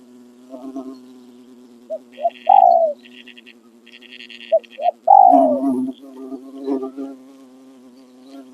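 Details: Spotted dove, a decoy bird used to lure wild doves in Thailand, giving its crowing song in the khan riak and khan yon styles: short low coos, then drawn-out falling notes, over a steady droning hum and faint buzzing.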